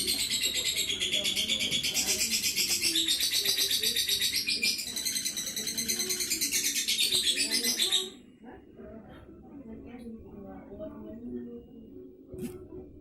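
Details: Moreno lovebird called 'bocor', singing a rapid, high, buzzy chattering stream of repeated notes for about eight seconds, then stopping abruptly, leaving quieter background noise and faint low sounds.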